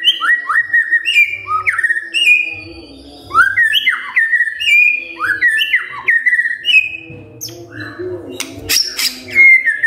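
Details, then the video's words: Magpie-robin song for the early morning, aimed at getting idle magpie-robins to join in: clear whistled phrases, each swooping down then up, repeated in runs, with a few sharp high chirps at the close. "Pancingan PAGI PAGI AGAR MURAI GACOR❗ murai diam pasti ikut NYAUT❗❗"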